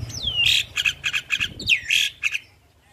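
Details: Caged female Javan myna singing actively: two sweeping downward whistles, each followed by a run of short harsh chattering notes, a rapid squawky phrase over a faint low hum.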